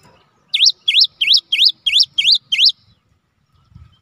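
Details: Gelatik batu, or cinereous tit, kept as a lure singer: seven clear, bouncing whistled notes in a steady rhythm, each rising then falling, followed by quiet with a faint low knock at the end.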